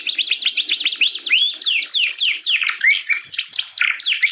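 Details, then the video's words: Canary in full song, used as a tutor for canaries that are silent or after moulting; quick high chirps and rising whistles tumble together in a busy, warbling run, with a few faint low sounds early on. "kicau burung kenari"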